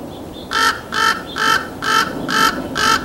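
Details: Common Raven fighting two Red-shouldered Hawks over food, San Fernando Valley, California, 28 April 2024, apparently warning of an incoming hawk. It gives six harsh, hoarse calls in quick succession, about two a second, with faint background noise.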